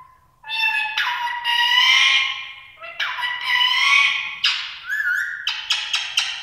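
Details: A female rose-ringed (ring-necked) parakeet talking: drawn-out, harsh, nasal vocalisations of about a second each, some wavering like speech, then a quick run of short clipped notes.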